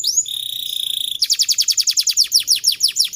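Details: Canary song meant to train young canaries to sing with long rolls: a long steady high whistled note with an overtone, then a fast trill of repeated descending chirps.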